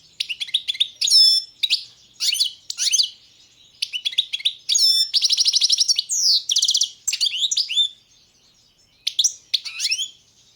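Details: Balkan European goldfinch (Carduelis balcanica) singing chains of crisp chirps and twitters, a fast trilled passage in the middle, then a short pause before the song resumes.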